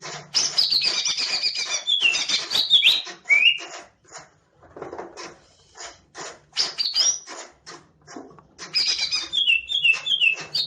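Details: Green leafbird, a caged songbird fanning its tail while singing: long bursts of rapid, varied whistles and chattering trills, with short pauses between bursts and a steady low hum in the background.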